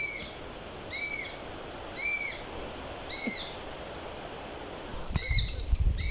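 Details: A Eurasian sparrowhawk calls in a series of five or six clear, piping whistles spaced about a second apart, each gently arched. A dull thump and rustling noise sound near the end.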